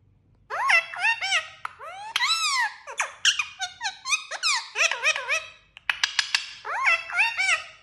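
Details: Talking parrot producing a rapid run of squeaky, sharply rising and falling chirps with strong overtones, delivered in dense bursts and short phrases, with a brief pause near the middle; no other clear sounds.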